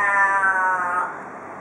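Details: Australian raven at a Perth porch, Australia, part of the 'cock a doodle doo' calling typical there: one drawn-out, rich harmonic wail sliding slightly down in pitch and fading after about a second.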